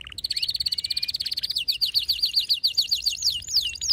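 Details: Excited male canary in full song: a dense, rapid buzzy trill of evenly repeated high notes for about a second and a half, then a rolling series of quick descending slurred notes delivered at a steady pace, over a faint low hum.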